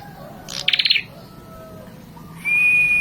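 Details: Red-headed prinia, prenjak kepala merah, singing to provoke rival birds: a quick burst of about six sharp, pulsed chirps, then a long, steady, high whistled tone held to the end over a faint low hum.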